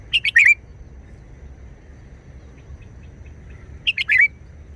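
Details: Red-whiskered bulbul delivering clipped wild-style song: a rapid cluster of three chirpy, slurred notes, a pause of several seconds, then a matching cluster, with soft background hum.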